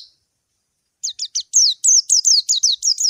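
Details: After a short silent start, a white-eye calling out to a rival gives a quick series of sharp, high descending chirps, about three a second, growing louder and more even, with no other sounds.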